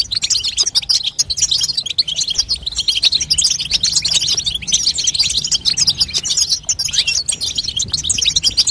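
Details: High, restless twittering from a female European goldfinch, the babtaba call played to strengthen and stimulate a young goldfinch's singing, notes crowding together without pause.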